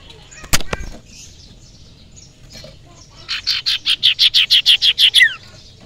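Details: Young wild forest common iora used as lure sound: after a sharp knock, a rapid, regular trill of about twelve high chattering notes builds in loudness and ends in a falling slur.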